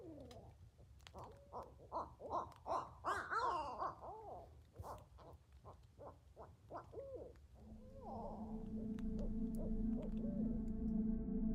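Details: A Barred Owl calls near a tent at about 10:30 at night during a camping trip, with coyotes also heard: a rapid run of rough, rising-and-falling hoots and cackles for about seven seconds, followed by a steady humming tone.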